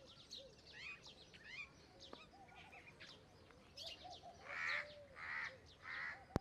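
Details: Common myna, also called Indian myna: assorted sharp chirps and short whistled notes, then three loud harsh, noisy squawks about every half second near the end, with other small birds chirping in the background.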